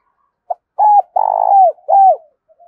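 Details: Spotted dove cooing played as a lure to make wild birds answer quickly. A short soft pip is followed by a three-part phrase: an even coo, a long quavering middle note, and a down-slurred last coo. The background is silent.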